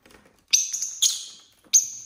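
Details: Pet lovebirds, a mixed flock of six of varied colours kept at home, on a relaxed Saturday: three shrill, piercing chirps, each a sharp high onset fading over about half a second, the middle one longest.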